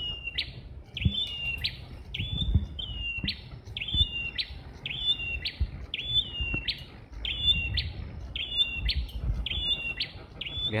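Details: Red-headed prinias, seemingly two, singing loudly and moving nimbly in a jackfruit tree; a long run of short phrases, each a sharp click plus a level whistled note, repeated rapidly about every 0.7 seconds, with soft rustling beneath.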